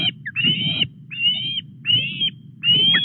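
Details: Osprey calling at its Llyn Clywedog nest, Wales, when a fish is brought in on 4 August at 09:33. Long, slightly rising whistles repeated roughly every second, over low background rumble.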